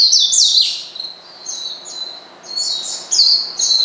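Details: Oriental white-eye calling to provoke a rival: high, slurred whistles and short twittery bursts in an irregular, stop-start pattern.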